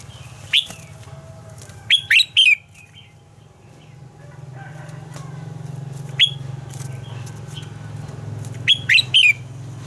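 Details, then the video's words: Red-whiskered bulbul giving its morning song, described as a double-note song of a forest-matured bird and used to train other birds' voices. Short bright whistled notes come singly and in quick clusters over a low steady hum. "Luyện giọng cho chào mào hót sáng - Hót hay nhanh lửa, chào mào hót âm kép già rừng hay tuyệt!"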